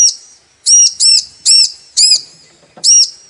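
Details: Female bar-winged prinia calling to a male, used to stir males into song: five loud, high, arched chirps in quick succession, some doubled, with clean quiet gaps between them.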